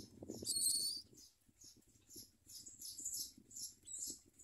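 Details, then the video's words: Common myna chicks being fed by their mother: a loud, shrill, wheezy squeal lasting half a second, followed by a run of thinner high squeaks and hisses, with faint rustling underneath. "Common myna Baby Birds eat food and bite their mother"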